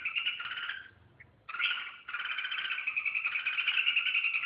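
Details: Red-whiskered bulbul giving a sustained, buzzy, rapidly pulsed warble that breaks off briefly and then resumes as a steady trilling stream, with a faint background hiss.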